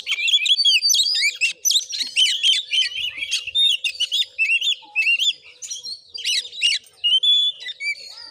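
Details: Fighting kacer, an Oriental magpie-robin, tested for voice in Padang Gading village, Muko Muko regency, Bengkulu, Indonesia: bursts of harsh, scratchy chatter mixed with sharp whistled notes, delivered in rapid clusters with short gaps, finishing with a few drawn-out whistles.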